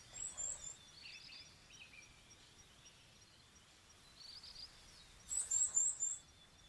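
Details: Varied tit on Bugaksan, Seoul, in the nesting season after bathing, calling variously while perched: thin, very high twittering notes, a few at first, then a quick run of four or five over steady background hiss.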